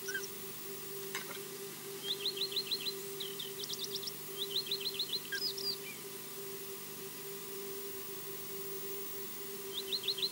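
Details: Osprey heard off camera at its nest at Loch Garten, Scotland, giving quick runs of five or six high chirping notes, repeated several times, over a steady low electrical hum and faint background noise.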